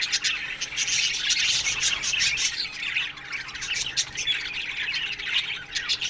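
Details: Australian budgie flock in an aviary chattering in the morning: rapid rasping chirps and warbles in overlapping surges, with a low steady hum underneath.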